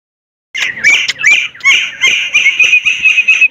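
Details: Sulawesi myna singing vigorously: a loud, harsh run of squawks and slurred notes, then a dense chattering stretch with bright whistled tones held near a steady pitch, in short bursts several times a second.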